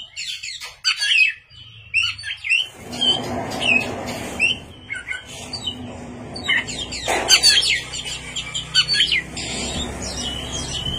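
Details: Oriental magpie-robin (kacer) singing vigorously at night, with sharp whistles and chattering phrases partly masked by a steady low rumbling noise for most of the recording.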